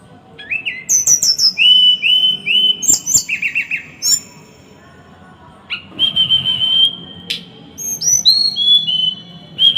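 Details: Small bird in a rapid, rough song for training other birds: fast piercing high notes over repeated trilled whistles, a short break, then sustained flat whistles and rising high slurs delivered in tight bursts; faint background hum.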